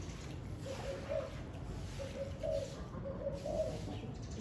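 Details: On a very windy day a spotted dove gives three clear cooing phrases, each a short run of mellow notes about a second and a half apart, over steady rumbling wind.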